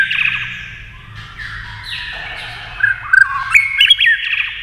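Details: White-rumped shama singing against a TV while flicking its tail with rapid beak movement; loud, overlapping whistled phrases with rising and falling slurs, sharp clicks near the end and a low hum underneath.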